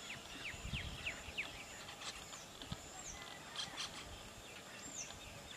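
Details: Brahminy starling feeding on custard apple in a custard apple tree; several short downslurred whistled notes early on, then a few thin high notes, over a low rumbling background.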